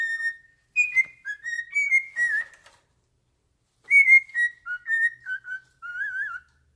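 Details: Pet cockatiel singing while fixated on its owner's foot indoors: clear whistled notes near one pitch, sliding and warbling, in two phrases split by a second of silence.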